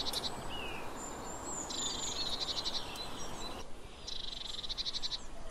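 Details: Eurasian blue tit (Cyanistes caeruleus) calling: thin, high notes and two fast, buzzy trills lasting about a second each, over a steady low rumble.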